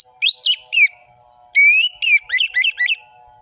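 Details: Orange-headed thrush in full-variation ngeplong song, used as a tutor for juvenile birds: slurred descending whistles, a pause, then a rising whistle and quick wavy notes, with a faint steady hum behind.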